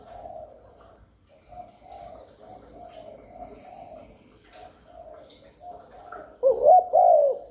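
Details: Spotted dove cooing to pull in wild doves: soft, distant repeated coos run through most of the recording before one close, loud, wavering coo phrase near the end.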